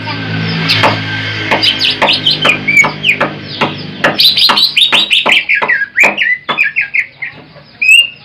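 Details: Greater green leafbird, a large jumbo bird whose song serves as a lure for trapping, delivering a fast, varied string of sharp whistles and chirps, with slurred notes toward the end and a faint hum underneath.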